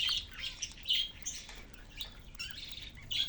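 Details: Several budgerigars kept in a cage give high, thin chirps and squeaky notes in uneven clusters, pausing briefly between short bursts.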